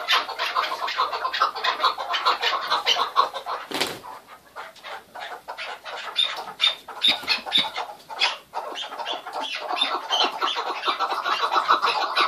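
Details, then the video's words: Noisy chukar partridge chatter, fast harsh clucks repeated over and over, broken by a sharp loud bang early on, then resuming dense and insistent. "Keklik Sesi Muhteşem (Keklik Hengamesi) - الحجل طائر - куропатка - partridge"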